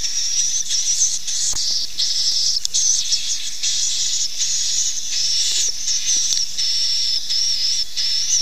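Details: Swiftlet lure call to attract nesting birds: continuous high, hissing twittering chatter with a thin wavering whistle throughout over a steady airy hiss.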